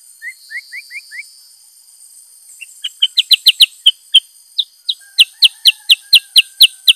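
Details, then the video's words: Male Black-headed Bulbul in full song, showing off its repertoire. Five soft upslurred whistles open the phrase. After a pause comes a fast burst of loud, sharp chirps, about three per second, over a constant high hiss. "Burung KUTILANG SUTRA GACOR Bongkar Isian"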